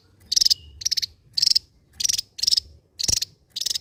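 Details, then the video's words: Drilling 'ngebren' song of the Java-endemic Javan white-eye: seven short, high, rapidly pulsed rattles, roughly one every half second. "SI MUNGIL BERSUARA T4JAM..SANG BURUNG ENDEMIK JAWA YANG MEMUKAU,GACOR NGEBREN BAK BURUNG BESAR"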